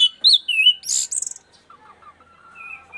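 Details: Punglor, or orange-headed thrush, from East Nusa Tenggara singing eagerly once used to the camera: loud bright whistled phrases and a harsh high burst, then softer warbled notes fading out.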